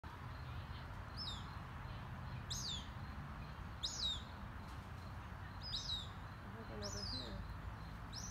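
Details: Young female hawk fledgling, mother nearby and calling, in Albuquerque's Open Space; thin high descending cries repeated roughly every one and a half seconds over a steady low rumble of background noise.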